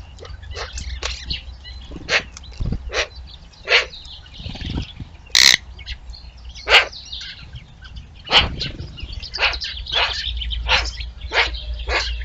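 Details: Eurasian magpie imitating the neighbour's dog, recorded 3 March 2023; a string of short harsh, broadband bark-like calls roughly every half second, uneven in loudness, with a low background rumble.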